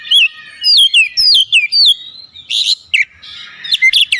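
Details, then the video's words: Singing Oriental magpie-robin with calling tones: clear downslurred whistles repeated about twice a second, then harsh buzzy notes and quick chirpy twitters. "Masteran Burung Kacer Full Isian Dengan Nada Panggilan 100% Nyaut"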